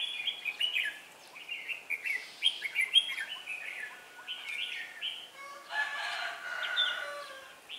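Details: Decoy red-whiskered bulbul singing to provoke rival males during trapping on 4 December 2016: a lively run of chirpy, slurred whistled phrases, closing with a harsher buzzy burst.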